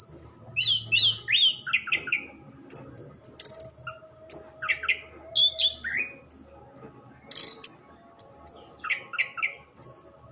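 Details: Orange-headed thrush pouring out a rich varied song: clear downslurred whistles mixed with sharp high buzzy notes, phrases following in quick succession for ten seconds over a low steady hum.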